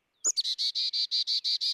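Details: Carolina Chickadee in a Chevy Chase yard, a very small bird that takes seed at the feeder and hides on a branch to peck it: two thin, high opening notes, then about nine buzzy, even 'dee' notes, roughly seven per second.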